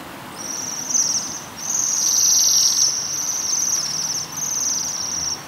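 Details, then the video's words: Waxwings feeding on rowan berries give very high-pitched metallic trills, a steady buzzing band that swells louder in the middle and runs almost without pause across the stretch. "The Waxwing and its Call"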